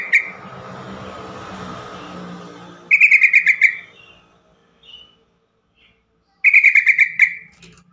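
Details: Yellow-vented bulbul call used to prompt other caged bulbuls to sing: bursts of rapid bright chattering notes, each burst about a second long, repeated after pauses, with a faint low hum in the background.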